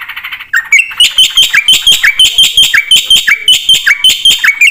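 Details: Black-winged starling song in full fill-in style. After soft chatter, loud repeated phrases follow, each pairing a dipping whistle with sharp chirps, about three per second.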